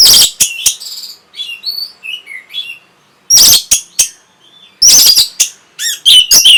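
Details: Orange-headed thrush, kept bird, song meant to stimulate breeding condition and provoke answers: loud harsh bursts alternating with softer varied whistled warbles and slurred notes, with brief silent gaps.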